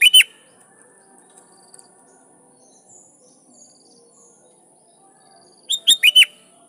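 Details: Sooty-headed bulbul singing lively to call rivals, used to draw wild bulbuls into answering; a clipped phrase opens, then after a long quiet gap a full phrase of four quick whistled notes, rising then dipping.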